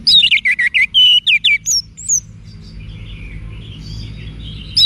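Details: Training song of the Orange-headed thrush for cage birds, Bali, Indonesia: a loud, quick phrase of looping, slurred whistles and high squeaks, followed by quiet, soft warbling in the background.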